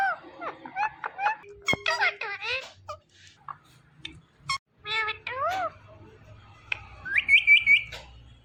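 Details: Indian ringneck parakeet chattering its own name in many brief speech-like bursts and clicks, then a loud rapid whistled trill near the end, with low hum in the background.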